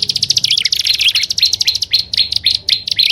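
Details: Prinia lure calls mixing prenjak alang-alang with upper and lower prenjak: a steady stream of sharp high chips and short twitters, roughly two per second, without pause.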